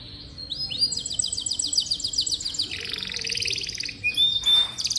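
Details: Song of a canary used as a model to stimulate young, seldom-singing canaries: rising chirps lead into a fast stuttering trill, then a dense buzzy roll and thin high whistles near the end.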